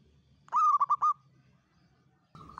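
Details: Local Indonesian zebra dove, a trapping lure recording with a long 'kuk 7' Mataram-style rhythm. A brief run of four quick, rolling coo notes, then a pause before another note begins at the end over low background rumble.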